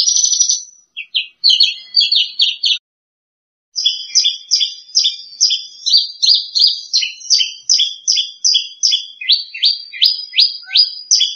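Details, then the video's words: Branjangan, a lark, singing in a prize-winning style, second place champion: rapid repeated chirping phrases of paired notes, about three per second, with a brief pause before a long, steady run. "SUARA BURUNG BRANJANGAN JUARA 2"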